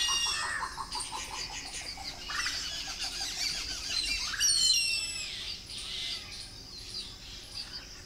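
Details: Indian grey hornbill squeals with a second hornbill alongside and a koel in the background; a run of quick pulsed notes opens, then shrill high squealing peaks near the middle amid wing flaps.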